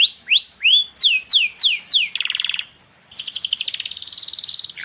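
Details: Canary singing, called a juvenile canary turned from silent to fully singing: a run of rising whistled swoops repeated about three per second, then a dense buzzy trill, a short pause, and a fast rattling trill at high pitch.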